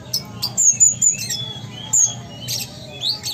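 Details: Sumatran konin, the ruby-cheeked sunbird kept as a songbird, chattering in gacor style with dense bursts of shrill tweets, high slurred whistles and short rising notes, fairly continuous, over a faint low hum.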